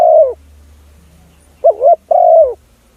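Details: Spotted dove cooing used to lure other doves: one long, level coo fading downward, a pause, then a short wobbling note followed by another drawn-out falling coo, against a quiet, faintly humming background.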